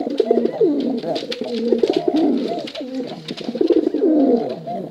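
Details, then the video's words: Dense chorus of male and female pigeons, contest birds, cooing continuously in low, rumbling, wavering tones that overlap without pause, with scattered clicks and taps. "Suara Bekuran Burung Merpati Lomba Hutan Dara Durasi Panjang"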